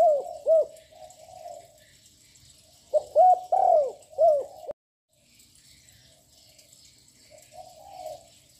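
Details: Young spotted dove with a loud voice, calling on and on to provoke rival birds: two sharp ringing coos, soft cooing, then a phrase of four loud curved notes with a long falling middle note, a brief silence, and faint low coos.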